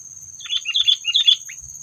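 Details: Sooty-headed bulbul trapping call meant to provoke predators: a quick series of throaty, bubbly chirps rising and falling, ending with a faint low thump, over a continuous thin whine.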